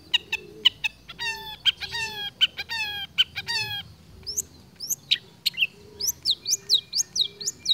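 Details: Long-tailed shrike that began silent, then sang steadily while mimicking other birds; first rich harmonic notes in rhythmic bursts, then a run of quick rising whistles repeated several times per second.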